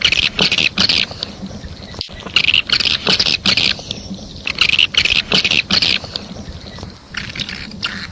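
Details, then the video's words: Swiftlet calling sound 'A4', a recording used to call swiftlets, with rapid bursts of high, dry twittering chirps, about two or three a second, brief pauses between bursts and a faint hiss behind. "Suara Panggil Walet A4"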